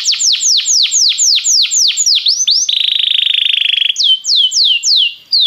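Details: Belgian canary singing to warm up other canaries: a string of quick downward-sweeping whistles, then a long buzzy roll, followed by more sweeping notes.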